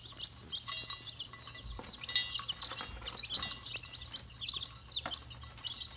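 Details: Red junglefowl chicks: a chorus of shrill, short peeps repeated rapidly, broken by bursts of rustling, clattering noise over a faint low hum.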